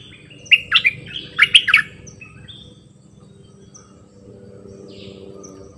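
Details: A bulbul kept as a decoy gives its varied singing: two clusters of fast, liquid, chattering notes close together, followed by a long stretch of soft background hum and a few distant chirps.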